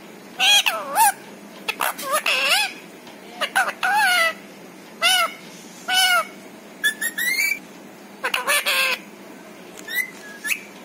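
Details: A household parrot chattering in imitated human words like papa and mummy; a long run of repeated speech-like syllables and phrases, with some higher whistled squeaks among them.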